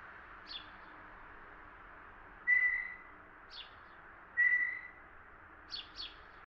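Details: Softer call of a Blue jay, Ontario, Canada: a pair of smooth, steady whistles spaced roughly two seconds apart, with short, quiet chip notes before, between and after them, and a constant faint hiss underneath.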